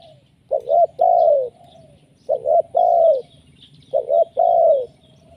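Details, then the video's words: A spotted dove, used as a lure call, coos in three low phrases, each a quick double note then a longer rolling coo, repeating about every two seconds over faint background hum. "Suara pikat tekukur,, gacor menekan"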